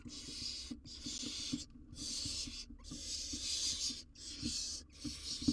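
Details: Barn owl owlet, wild, on a live nest cam while handling a huge jird: almost continuous breathy, noisy screeching hisses in back-to-back bursts with only brief pauses, small knocks and scuffles underneath.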